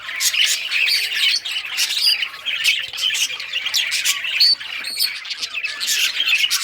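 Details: On June 18, 2023, rare-coloured budgerigars playing with toys fill the room with rapid squawky chatter and bright chirps, punctuated by a few sharp whistled notes and taps.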